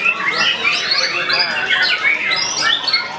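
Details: Young white-rumped shama in full song, a fast run of bright whistled notes sweeping up and down, some rising slurs and quick trills, packed closely together with a busy, chattering background.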